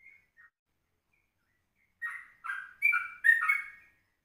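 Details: Yellow-vented bulbul at 04:30 in the morning, recorded as a lure for other birds: two faint notes, a silent gap, then four louder burry, warbled whistles in quick succession.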